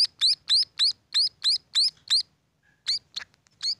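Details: Several high rising chirps from young munias at about four per second, then a short silence and a few more irregular notes.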